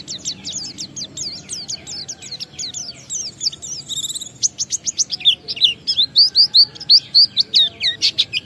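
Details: Oriental white-eye (pleci) ngalas song mixed with wiksar, used to lure other white-eyes into singing; fast series of high sweeping chirps, a brief buzzy burst, then loud evenly repeated slurred notes.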